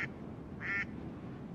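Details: Birds on the drying lake Verkhnee Krivoe: two short, nasal, quacking calls against a constant low rumbling background.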